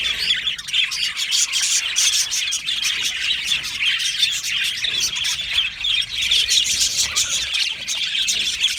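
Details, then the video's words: Budgerigar colony kept in an aviary, steady busy chatter of many birds: bright chirps and scratchy warbles layered thickly, level and unbroken throughout. "Australian Budgie parrot chirping sounds"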